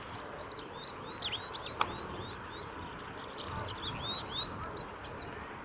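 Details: Song of an olive-backed pipit on the Kirigamine plateau, Japan, recorded 15 July 2018: a dense, rapid jumble of high chipping notes leading into a string of thin downward-sliding whistles, then arched phrases, over a soft noisy background.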